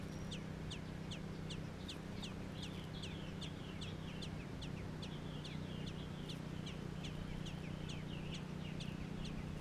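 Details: Young robins in the nest, recorded in Georgia, producing a dense run of sharp, high squeaky notes, nearly four per second and briefly overlapping, with a continuous low hum beneath.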